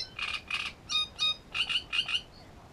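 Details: Great reed warbler song recorded near a nest at Grachevka: loud, harsh, croaking notes, mostly given in quick pairs, with a few clearer whistled notes in between.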